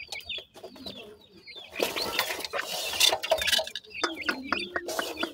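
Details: Baby grey francolins peep in short, high whistled slurs at the start and end, with a loud stretch of broadband rustling and scraping in the middle.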